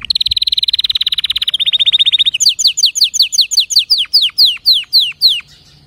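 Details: Singing canary: a long, very rapid, even high rattle lasting over two seconds. It then changes to a slower run of sharp downslurred whistles that gradually space out before stopping.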